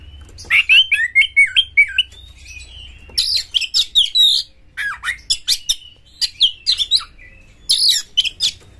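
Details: Fierce kacer song meant to provoke other magpie-robins into singing: four bouts of fast, varied chirps and twisting whistled notes, each bout separated by a brief pause, over faint low hum.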